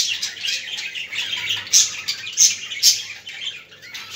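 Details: Chattering budgerigars meant to stimulate budgies: steady high warbling interspersed with three sharp, bright chirps near 1.8, 2.4 and 2.9 seconds, indoors.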